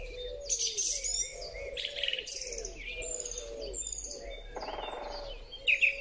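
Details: Song thrush singing in spring, recorded on a Huawei P30 Pro phone: loud, varied high phrases in short bursts with sharp whistles and trills, over a steady low wavering tone and a faint rumble.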